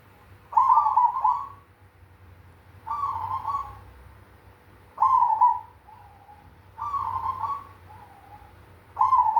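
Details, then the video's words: Cemani zebra dove repeating its big 'kung' song about every two seconds: five loud burring coo phrases, some followed by a soft lower note, over a quiet steady hum. "Perkutut cemani suara kung besar"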